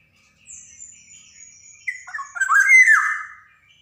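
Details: Black-naped oriole recorded for training young birds: thin high drawn-out whistles lead into loud, harsh, buzzy nasal notes that rise and fall.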